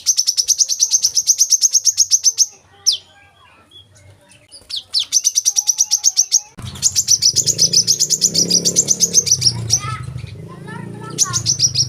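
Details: Olive-backed sunbird (kolibri kelapa) song: long, even trills of very high, rapid notes, a short break with faint chirps, then the trill resumes over a low steady hum and background noise.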